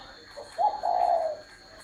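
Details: A single spotted dove coo: a soft brief note, a quick break, then a sustained mellow hooting tone that slowly tails off. A faint electrical hum sits in the background.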